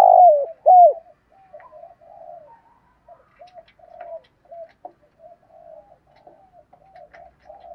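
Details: Decoy spotted dove calling to lure wild doves, a thúc gù calling routine: two loud, close, down-bending coos open the passage, then a long run of soft, broken low cooing fragments fading in and out.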